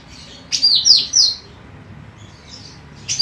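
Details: Female golden cucak rante, used to train birds, produces three clear, high whistles sliding downward in a fast series, followed by soft faint notes and near silence.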